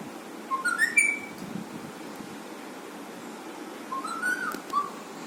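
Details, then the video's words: Pet alexandrine parrot making funny sounds: two short bursts of rising, whistled notes, the first near one second, the second just after four seconds. A quiet room hum runs underneath. "alexandrine parrot funny sounds"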